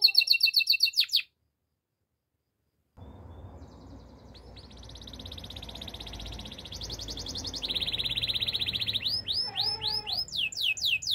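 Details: Spanish Timbrado canary singing for training: a quick pulsed burst, a pause, then long rolling trills that change pitch in steps, ending in sharp rising slurs over steady background hum.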